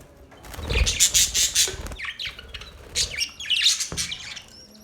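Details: Budgies chirping in quick, harsh, squawky bursts, with a loud run of rasping high notes early on and more warbled chirps after a short pause.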